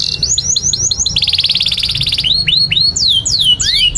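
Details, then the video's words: Canary song for training young and stalled canaries: quick repeated rising chirps, a dense buzzy trill lasting about a second, then looping whistled slurs and descending sweeps. "Kenari GACOR PANJANG INI Cocok untuk Masteran KENARI PAUD dan Kenari Macet"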